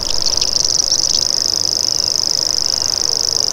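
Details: High-pitched, steady mechanical reel of a common grasshopper warbler running unbroken throughout, with a few faint, brief bird notes underneath at the start.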